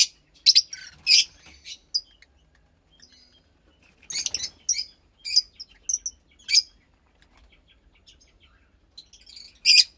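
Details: Captive Fischer's lovebird chick of about 15 days, parents lutino and pastel blue, making sparse sharp high chirps and short raspy notes, with a soft rustling noise around the middle.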